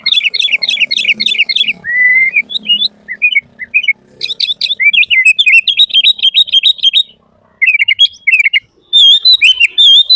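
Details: Sooty-headed bulbul singing nonstop in full-isian 'gacor' style, meant to train and lure bulbuls: fast stuttering note bursts, a long slurred whistle, scattered chirps, a brief pause, then more bright varied phrases.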